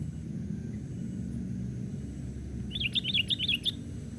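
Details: Young sooty-headed bulbul hopping on a branch, calling to lure wild birds; after a quiet start, a rapid run of about six bouncy, up-and-down warbled notes in a second, above low rumbling background.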